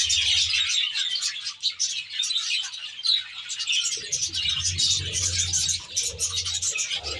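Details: Caged budgerigar flock in an aviary: many overlapping bright chirps and twittering warbles form a steady high wash of sound, while a low droning hum rises in the second half.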